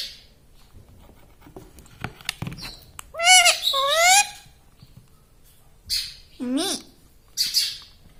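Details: Pet parrot (tota) talking, imitating words like "mummy": after soft rustles and clicks, two loud wavering harmonic syllables, then a lower scooping call and a short high squawk.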